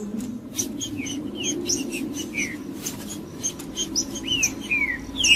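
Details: Green-winged saltator (trinca-ferro) singing, played to warm up a cold bird: short whistled, downslurred phrases with high sharp notes, about two a second, over clicking sounds and a low steady hum.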